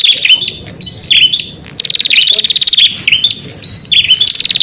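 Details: Lure song of a prinia for attracting wild prinias, made of bright chattering phrases of sharp downslurred chirps and rattling trills that follow one another almost without a break.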